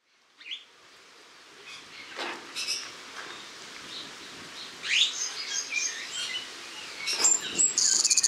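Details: Spreo starlings filmed in August 2015, giving scattered high chirps and squeaky whistles that grow busier toward the end, with a faint rustling background.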